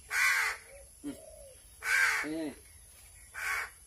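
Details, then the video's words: Hungry crow calling while being hand-fed: three loud, harsh, hoarse caws about 1.5 seconds apart, with softer, lower, nasal notes in between. "BURUNG GAGAK KELAPARAN"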